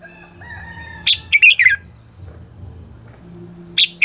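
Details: Red-whiskered bulbul lure song for training birds and attracting wild ones: a quick run of sharp, bright whistled notes, then a pause and two more notes, over a low background hum.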